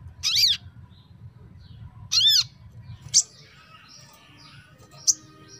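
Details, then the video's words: Crimson sunbird heard in a recording meant to stir rarely singing birds into song: two high, arched chirps about two seconds apart, then a couple of sharp faint ticks over a low background hum. "TERAPI MENINGKATKAN EMOSI SOGON YANG JARANG BUNYI"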